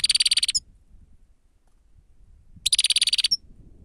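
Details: Lure recording of a grey-headed goldfinch: two bursts of dry, rapid buzzing trill, each about half a second long of evenly pulsed notes, separated by a two-second pause.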